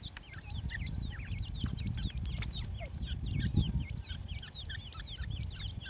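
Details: Grey francolin (teetar) chicks give a dense chorus of high, thin, wavering peeps while feeding. Loud low-pitched rumbling and handling noise swell in the background, strongest midway.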